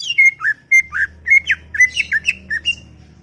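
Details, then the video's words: Greater green leafbird, described as very chatty, in a garden: quick run of short, slurred whistled notes, some rising and some falling, about ten in three seconds, with a faint low hum underneath. "CUCAK IJO cerewet bin bawel"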